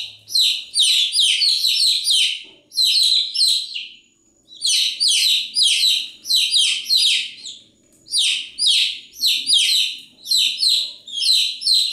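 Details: Chicks chirp without letup, producing rapid bunches of high, falling peeps separated by brief gaps, several clusters in a row.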